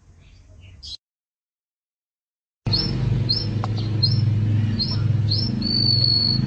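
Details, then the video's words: Canary from a training recording for pet songbirds: after a short faint bit and a silent gap, clear high hooked whistles about every half second end in a long level whistled note, over a strong low humming background. "Suara Burung Kenari"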